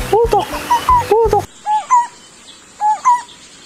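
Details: Lineated barbet, a male calling in a newly paired aviary bird, its voice said to resemble a zebra dove: paired hollow hooting notes repeated, with a man talking over the first calls, then clear calls in quieter surroundings.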